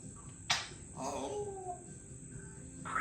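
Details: A 3-year-old female pet Congo African grey parrot talking at home: one short speech-like phrase sliding downward, framed by a sharp click and brief scrape, over a steady high electronic whine.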